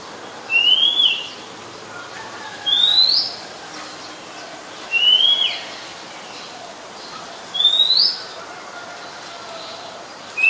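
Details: Oriental magpie-robin, a very common resident, singing in Ubon Ratchathani, Thailand, on 17 July 2021; short rising whistles repeated about every two and a half seconds, five in all, steady and unhurried.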